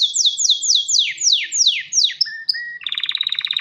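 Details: Male canary singing to call a female for breeding: a string of about nine falling whistled sweeps, two flat tones, then a quick pulsing trill.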